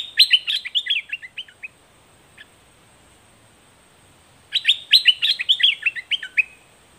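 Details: Facing a wild bird in a heated clash, a straw-headed bulbul pours out two loud, rich, babbling phrases of rapid whistled notes, each about two seconds long, with a quiet gap between them.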